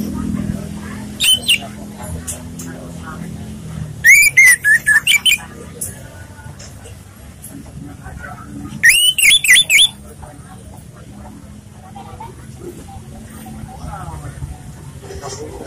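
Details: Orange-headed thrush giving relaxed lure song: three short bursts of fast, bright whistled notes, widely spaced, the longest a run of about six notes, amid steady background speech.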